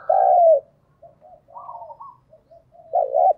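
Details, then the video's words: A decoy spotted dove coos to bring wild doves close. A long loud coo slides downward, soft notes and a higher trill follow, then another firm double coo ends the phrase. "Chim cu gáy mồi chuẩn thúc & gáy gọi kích bổi nhanh nổi hiệu quả"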